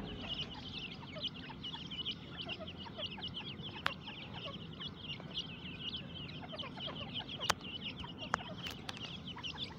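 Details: Grey francolin (teetar) chicks kept in a breeding cage during breeding season, healthy and active while feeding. Many shrill, high chirps overlap in a constant, busy chorus, broken by occasional sharp clicks.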